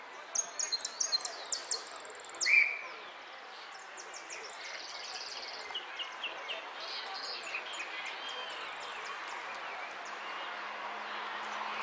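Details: Jilguero finch singing at the Irupé contest in the 'amarillo de repique' category: rapid bursts of very high, sharp chirps and short trills in the first three seconds, then quieter scattered notes over a steady hiss of background noise.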